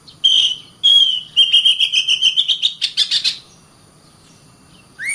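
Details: Singing oriental magpie-robin (kacer): two sustained whistles, then an accelerating series of rapid buzzy trilled notes climbing slightly in pitch, followed by silence and a final rising whistle.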